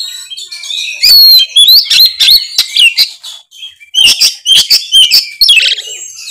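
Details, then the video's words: Loud 'ngeplong' song of the kacer, or Oriental magpie-robin: bright wavering whistles woven with rapid clicks and chattering notes in a nearly unbroken stream. "suara kacer gacor full ngeplong"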